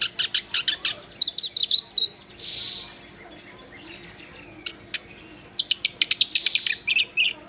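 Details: Black-browed reed warbler in full, vigorous song: quick trains of sharp clicking chirps, a short harsh buzzy note, a pause, then more rapid scratchy chatter and a squeaky trill.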